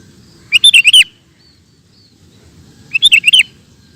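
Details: Sooty-headed bulbul phrases used to train caged birds: two brief, bright bubbling bursts of four or five rapid chirps each, spaced roughly two and a half seconds apart over a faint low rumble.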